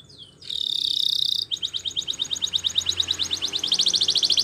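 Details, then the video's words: Spanish Timbrado canary singing for training over a low background hum: a short sliding note, then a dense metallic buzzing trill, then a steady run of quick repeated chipping notes that speeds up near the end. "The Best Timbrado Canary Sounds !! Suitable For Timbrado Canary Training"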